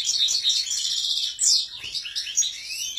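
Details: Rapid twittering song of a European goldfinch: high, tinkling chirps run together with a sliding whistled note near the middle, then liquid trills and short buzzes running on without pause.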